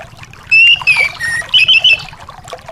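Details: Short burst of anis song for a bird that has stopped singing: a clear whistled note, then a lower slur and a quick trill of looping notes, with soft hiss behind.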